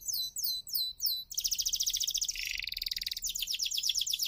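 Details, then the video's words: Canary song from an F1 bird, used to coax non-singing canaries: repeated downcurving whistles, then a long loud rattling trill shifting lower in pitch and back up. "KENARI F1YS GACOR PANCINGAN KENARI MACET"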